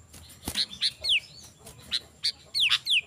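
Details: Sooty-headed bulbul calling, used as a lure for wild bulbuls: short bright chirps and several quick downward-slurred whistles, plus a sharp click early on, over a soft background hiss.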